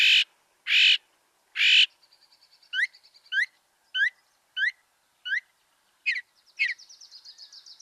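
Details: Northern mockingbird song in Kentucky in April, early spring: three harsh broad notes, then rising whistled phrases, each repeated three or more times before switching, ending in a fast buzzy trill.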